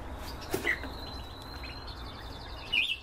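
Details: Canaries kept for breeding give a sharp chirp, then a sustained high steady whistle for over a second, ending in a fast rattling trill and bright chirps, with low hum behind.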